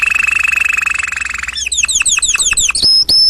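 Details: Canary singing loudly: a low, buzzy, steady drone gives way to a series of fast swooping downslurred notes, ending in two sharp high whistles.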